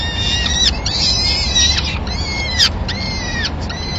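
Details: Peregrine falcons in Madrid on 26 April 2016, as the male brings the day's first food, a small bird, to feed all the chicks. Drawn-out, arched, harmonic-rich wailing calls repeat over a steady low urban rumble.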